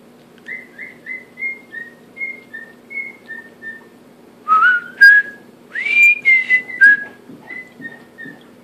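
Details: Male pet cockatiel indoors attempting the Andy Griffith theme, still rough: a run of short, level whistled notes near the same pitch, then louder rising slurred whistles and a few closing soft notes, over a steady low room hum.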